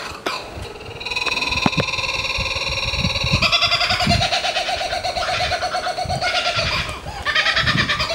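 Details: A laughing kookaburra in Queensland, Australia, starts with low chuckles, then breaks into a loud, rapid, rolling cackle of harsh repeated notes that rises and carries on for several seconds.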